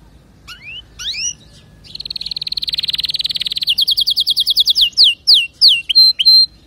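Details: Canary song opening with two rising slurred whistles, then a fast buzzy trill that slows into evenly spaced downslurred notes and ends in a few clear, separate chirps.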